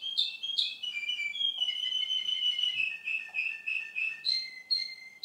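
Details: Male Russian canary song of clear whistled notes descending in steps, the phrase repeated in a fast, rhythmic series of short pulses lasting several seconds.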